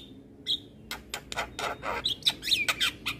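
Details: Gacor-style singing of an Asian pied starling, known locally as jalak kebo: a brief whistle, then a rapid series of harsh, broadband scratchy bursts mixed with short whistled slurs.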